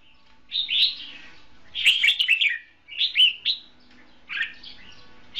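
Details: Red-whiskered bulbul decoy bird singing in a trap duel, short bright warbled whistled phrases spaced about a second apart, each a quick cluster of rising and falling notes over a quiet background.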